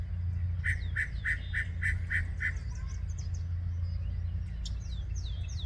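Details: Yellow-breasted Chat sings a quick, even run of about seven harsh, quacking notes, then a few high, down-slurred whistles, over a steady low rumble; 23 May 2023, 10:12 AM, Osborn Metropark, Huron, Ohio.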